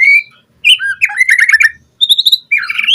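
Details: White-rumped shama song used as a lure recording for training captive birds: loud, clear whistled phrases with fast chattering notes and sharp upslurred whistles, given in short bursts separated by brief pauses.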